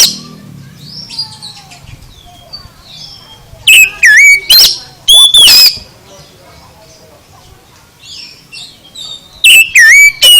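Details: Oriental magpie-robin song used to stir an idle bird: faint distant whistles at first, then loud bursts of warbled, sliding whistles and harsh notes in two groups, with quiet gaps between.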